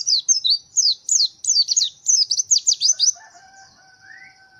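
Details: White-eye (pleci) of the fighter type in vigorous song: a fast run of piercing, high, looping chirps that breaks off into faint steady whistled tones at the end.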